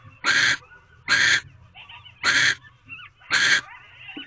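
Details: Barn owl in an owl box at night during mating, the female still holding a rodent the male brought hours earlier, recorded 11:24 pm on 18 February 2023; four harsh, broadband hissing screeches about once a second, with faint fainter squeaks between.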